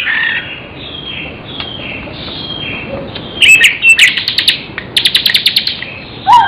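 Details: Soft, faint whistled phrases from a magpie-robin singing isian style, then bursts of rapid dry clicks and buzzy chips, ending with a short sharp downslurred note.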